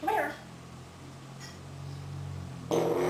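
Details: An 18-year-old male African Grey parrot, indoors, gives two short mimicked sounds about two and a half seconds apart: a throaty belch and a nasal meow, over a low indoor hum.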